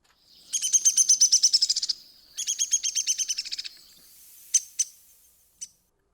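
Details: Downy Woodpecker call, given as an example of the distinctive calls woodpeckers use instead of song: two fast descending whinnies of sharp, high, rattling notes, about twelve notes each, followed by three separate short sharp pik notes.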